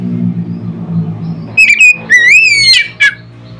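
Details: Loud song of an Oriental magpie-robin used to stir other birds into singing: after a stretch of low humming background, a run of ringing whistles and upward slurs.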